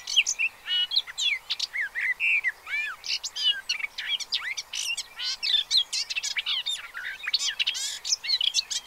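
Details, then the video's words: Pied avocets accompanied by chicks at Séné Nature Reserve, Gulf of Morbihan, 30 April 2023. A steady tumble of high, piping and twisting whistled calls from many birds, overlapping throughout. "AVOCETTE Élégante/Poussins 2023 ! BRUITX"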